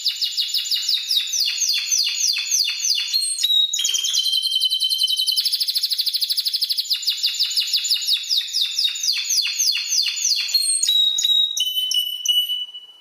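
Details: Tutor song of a Spanish timbrado canary, used to train other birds: long runs of rapid falling notes, brief steady whistled tones, then dense rolling trills pulsing many times a second.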